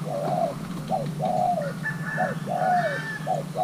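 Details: Young male Thai-hybrid spotted dove, paired with a mate, coos steadily: short notes alternating with longer downward-slurring coos, repeated regularly, while a higher thin call from another bird sounds faintly in the middle.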